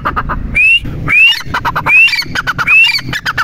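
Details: Partridge, locally called teetar, giving harsh pulsed notes broken by rising whistled slurs, about four slurs in a few seconds, against faint low rumble.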